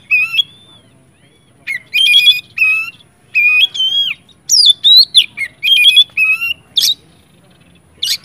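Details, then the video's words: Loud oriental magpie-robin song intended to stir other magpie-robins into singing: ringing whistled phrases with harsh, rasping edges, several rising-falling notes, separated by brief silences after a quiet opening. "kacer gacor ngeplong Sangat cocok buat pancingan kacer macet/bahan jadi nyaut rajin bunyi"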